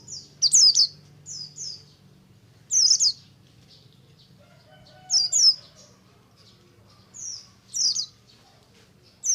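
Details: Buxtomi oriental white-eye in ngalas song, played to stimulate group-kept white-eyes: short clusters of two or three piercing high downslurred whistles every two to three seconds, with quiet gaps and a soft low hum.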